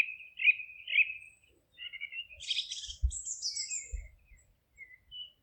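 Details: Forest birds chirping: warbled whistles open the recording, then a dense, scratchy high chatter with thin sweeping notes, plus a couple of low soft thumps beneath.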